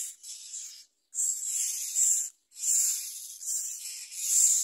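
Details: Baby myna receiving a large blue caterpillar from its parent, producing almost unbroken scratchy, hissing rasps with two brief pauses.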